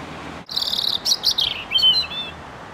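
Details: A European robin sings from within branches: a thin, high, shimmering trill followed by descending sweet whistled notes, set against a steady background hiss.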